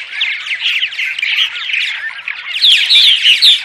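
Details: Morning vocalizations of purple martins, used to attract the birds: rapid chattering and gurgles from several overlapping voices, with clearer rising whistled chirps in the last second.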